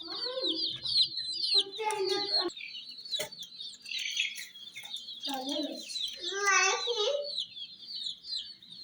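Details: Hen chicks chirp busily in a dense high chorus as they gather at miniature toy jeeps, while a lower harmonic voice cuts in several times, and some taps are heard.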